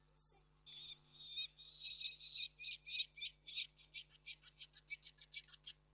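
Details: Wild peregrine falcons recorded on 29 June 2024 at Reda: a run of harsh, rasping calls repeated rapidly, about one and a half per second, the first notes drawn out and later ones shorter and clipped.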